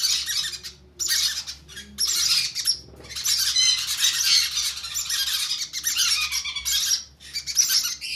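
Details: Hand-fed conure chicks begging with grating, high squawks, at first in separate bursts, then a long continuous rasping stretch.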